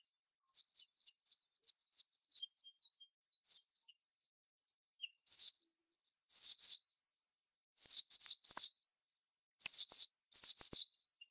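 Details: White-eye, Indonesian 'super antik' master bird: begins with a quick series of tiny high ticks, then shifts into louder paired falling chirps, the doublets and triplets growing stronger toward the end.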